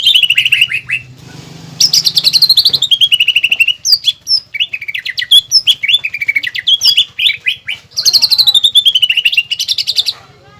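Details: Greater green leafbird in a cage delivering a contest-style master song with a woodpecker fill: loud, clear whistled phrases that sweep down in pitch, broken by quick stuttering chip series and rapid trills.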